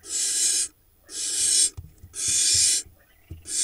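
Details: Young barn owls in a monitored Hula Valley nest in Israel, June 2021, hissing for food while their father delivers a vole. Drawn-out rasping screeches of about half a second alternate with brief pauses and soft thumps.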